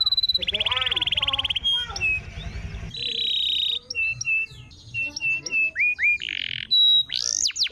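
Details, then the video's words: Canary song used to prompt a silent caged canary to sing again: loud rapid trills, then clear whistled notes, rising and falling slurred phrases and short buzzy bursts, varied and continuous. "PANCINGAN KENARI MACET‼️ GACOR"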